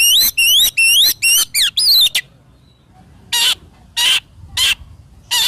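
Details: Kacer (Oriental magpie-robin) in lively gacor song, meant for training young birds and for morning and evening therapy: a fast run of looping whistles for two seconds, then a pause and a few loud, harsh rasping notes spaced about half a second apart.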